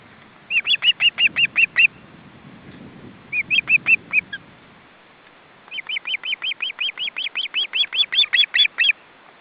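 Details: Osprey family at the nest on a very windy day, with three young and the parents bringing fish: rapid series of high, whistled chirps, several per second, in three bursts, over a rumble of wind.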